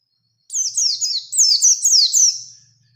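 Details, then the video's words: Oriental white-eye, a lure recording meant to provoke a bird into challenging a rival: a rapid run of high, sweeping chirped notes lasting about two seconds, each note sliding downward, in an otherwise quiet background. "Burung PLECI GACOR Ngalas Ngerol Nembak Mencari Lawan | Pancingan Pleci Cepat Nembak"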